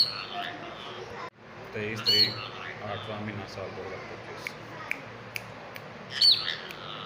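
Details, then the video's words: A pet talking rose-ringed parakeet chatters in raspy, speech-like phrases, broken by two sharp, shrill squawks several seconds apart; recorded 23 August 2025. "Talking Ringneck Birds"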